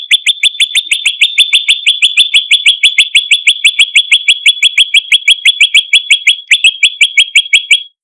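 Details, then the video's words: Lure sound of olive-backed tailorbird used to draw in birds: a fast, continuous string of bright, high chirps, about three per second, with no pause throughout. "Prenjak Gacor - Variasi Pancingan Prenjak Lumut Masteran Suara Pikat Prenjak Kepala Merah"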